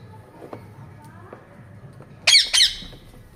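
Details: Pet parrot letting out a pair of abrupt, raspy squawks near the end, after a few soft clicks and faint sounds against a low steady hum.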